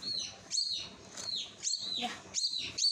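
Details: Common myna chick being hand-fed, giving shrill, harsh begging calls high in pitch, with a downward-curving shape, in bursts of about half a second repeated roughly every second amid a faint background hum.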